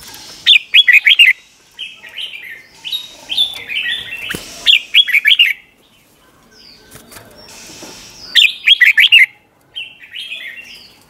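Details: Red-whiskered bulbul singing doubled-style song for training young birds: rapid bursts of bubbly warbled notes, each phrase quickly repeated, with softer chirps between bursts.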